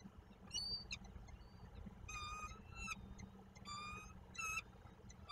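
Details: Peregrine falcon at its nest in Koszalin, Poland, 15 March 2022, giving harsh harmonic calls in short bursts, roughly five spaced over five seconds, with a steady low hum underneath.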